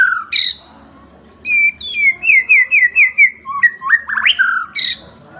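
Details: Young seven-month-old white-rumped shama singing ngriwik: a high whistled note, then about six rapid rolling notes in an even series, followed by rising and falling slurred whistles and another high note.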